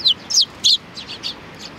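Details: Young and adult sparrows, 27 June 2019: three loud, close, down-slurred high chirps in quick succession, followed by fainter echoing chirps, with a quiet background.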